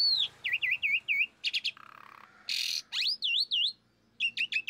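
Asian pied starling in a varied, high song: a run of four looping down-slurred whistles, then buzzy chatters, a harsh rasp, and more whistles.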